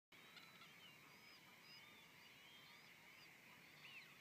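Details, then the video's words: Part of a two-thousand-strong golden plover flock piling into a marsh scrape in the evening gives a steady wash of soft, plaintive whistles, with clearer rising and falling notes; a Cetti's warbler calls just before eight seconds. "Golden Plover and Cetti's Warbler call"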